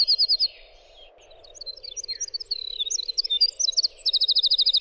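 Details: Winter wren song: a rapid jumble of high, thin chirps and warbled notes, with fast trilled runs at the start and end. A steady low hum runs underneath throughout.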